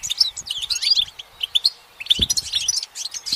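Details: From its perch in the sunlight, a goldfinch gives a brief, hurried burst of high, tinkling twitters and slurred chirps, pausing briefly mid-phrase.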